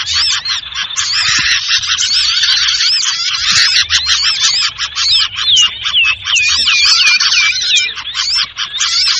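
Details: Golden-bellied gerygone (sirtu) lure recording for bird trapping, a busy 'ribut' mix: dense, continuous twittering of many overlapping high chirps and short whistled notes, some sliding down in quick series, with no pauses throughout.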